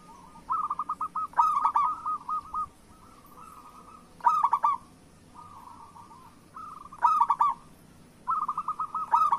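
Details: Local zebra doves singing vigorously, recorded as a prompt to get quiet doves to sing: soft cooing trills of rapid notes, with a louder rolling phrase about every three seconds over a low background hum.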